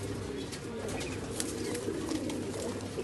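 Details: Satinette fancy domestic pigeons (Columba livia domestica) on a pigeon farm in India, cooing: low, soft murmurs running steadily through the clip, with a rumbling indoor background and faint higher rustles.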